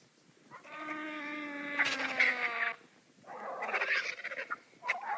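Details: Several vultures quarrel over food, giving a drawn-out nasal moan with strong harmonics that slides slightly downward, broken by rasping bursts, followed by scratchy chattering hisses and grunts.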